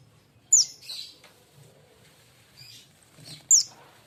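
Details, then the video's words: Young caged sunbird, a fledgling not yet trained, calling with two crisp, high, falling chirps three seconds apart, each followed by a softer lower twitter. "SUARA BURUNG KING KONIN BAHAN TROTOLAN"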